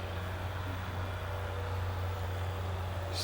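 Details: Steady low engine rumble of passing traffic with faint background murmur, and no animal sound.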